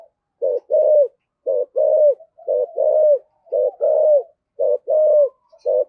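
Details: Caged spotted dove serving as a lure bird, calling in 'giọng thổ sấm': a steady run of five or six phrases, each a short burst and then a longer mellow coo that bends downward, repeated about once a second.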